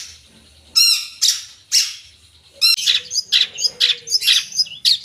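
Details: Long-tailed shrike singing full 'isian': a few loud, ringing harsh notes, then a quicker run of varied scratchy chips and short whistled slurs.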